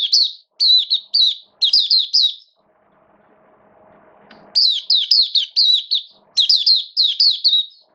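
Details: Mata puteh, or Oriental white-eye, kept as a songbird and singing its opening song in rainy weather: fast high twittering phrases, a pause of faint low humming, then a longer rush of sweet descending notes.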